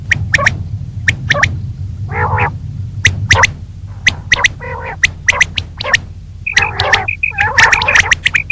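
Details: Morning calling of a female common quail: rapid sharp clicks in twos and threes, a few raspy nasal notes, and soft paired piping notes near the end, over low background noise.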